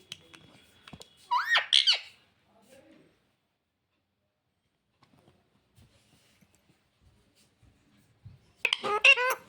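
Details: Pet talking parrot indoors, known for saying "mummy papa"; a burst of high, harmonic, warbling syllables near the start, a long quiet stretch with faint clicks, then another rapid chattering run at the end.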